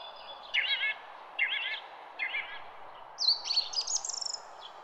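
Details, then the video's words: Garden songbird song: three separate rapid trilled phrases about a second apart, followed by a brighter, very high run of sharp twittering notes, against low steady background noise. "GARDEN BIRD SONG"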